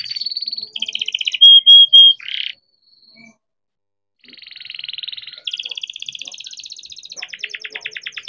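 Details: Captive-bred young canary singing to lure other canaries into song: fast trills, three loud pure whistles, a short pause of about two seconds, then renewed rapid buzzy rolls.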